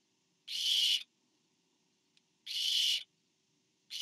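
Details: Barn owl during a parent's food delivery to owlet number four on 24 September 2015: two full raspy hissing screeches about two seconds apart and the start of a third, with a faint tick in the pause.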